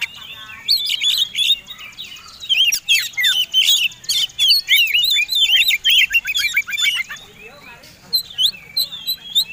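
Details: Fighting-type Oriental magpie-robin (kacer tarung) singing a combination song meant to provoke other birds into singing; dense, loud stream of sweet whistles, sharp upslurred notes and rapid chattering phrases, varied and nearly continuous.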